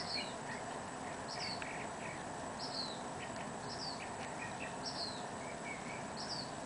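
Black Phoebe giving thin, high, falling whistled notes about every second and a quarter, with softer lower chips between, over a steady background hiss.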